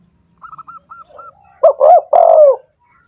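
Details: A spotted dove phrase, played to prompt lazy doves to sing, follows a run of high thin chirps: two quick hoarse notes then a long descending coo.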